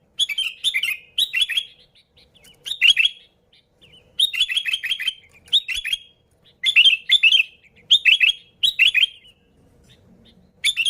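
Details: Sooty-headed bulbul in full, busy song for luring others of its kind: short bouncy phrases of two to four slurred whistles come in quick succession throughout, with brief silences between them.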